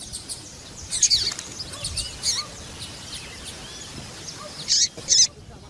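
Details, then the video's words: High, piercing chip notes from a female Yellow-bellied Seedeater calling 'piadeira' style to excite males. Sparse notes cluster early, then two louder bright chips come near the end over steady hiss. "Fêmea de papa capim louca piadeira levanta até defunto !"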